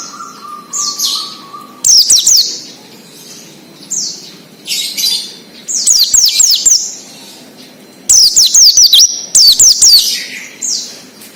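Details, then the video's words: Wild-style 'ngalas' song of Oriental white-eyes, used as a lure for untrained birds: rapid high zigzag whistled runs at about two, six, eight and nine seconds, with softer slurred chirps and several callers between. "PLECI NGALAS UNTUK PANCINGAN BUNYI PLECI BAHAN / OMBYOKAN"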